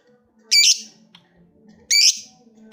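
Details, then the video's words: A lovebird calling a rival gives two brief, harsh high squawks about one and a half seconds apart, with quiet in between. "Suara burung lovebird ngekek panjang | Memanggil lawan"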